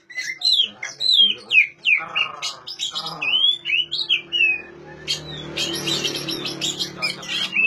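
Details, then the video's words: Oriental magpie-robin song for coaxing silent magpie-robins into song: loud, clear whistles sliding downward, repeated with short gaps, followed by softer chatter amid background noise. "suara asli kacer untuk memancing kacer macet bunyi"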